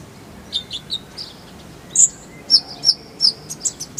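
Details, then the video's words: Kolibri ninja (sunbird) singing on a tutor recording for songbird keepers. Short, high, clear chirps are spaced apart at first, then come as sharper, louder tweets and thin whistled notes with brief gaps. "Masteran Konin_Kolibri Ninja Bahan Agar Cepat Gacor Suara Jernih"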